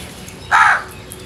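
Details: Crow giving a single harsh, rasping caw lasting about a quarter second, loud against a steady low background hiss.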